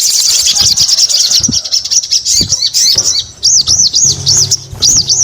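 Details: High chattering trill from a sogon, followed by a run of evenly spaced arched whistled notes, each rising and falling, with low background hum.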